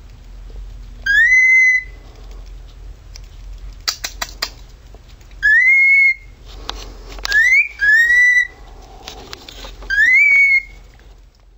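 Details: Indoor male cockatiel doing a siren impersonation: five loud, clear whistles, each sweeping upward then holding steady, spaced a few seconds apart. Light clicks and taps sound between them.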